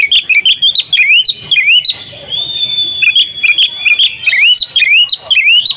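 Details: Female Oriental magpie-robin calling a male to prompt his singing; crisp rising whistles and snappy chirps in quick runs, broken by a long drawn-out thin whistle before the rapid notes return.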